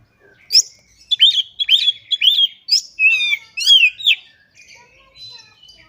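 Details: Oriental magpie-robin, known locally as kacer, in 'ngobra' display song showing off its learned material: a quick chain of bright rising and falling whistles with rattling trills, ending in a soft fade.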